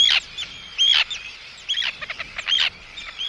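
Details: Arctic tern giving anxiety and threat calls at an intruder, recorded close up: harsh, rasping high calls in short bursts about once a second, with brief clipped notes between them.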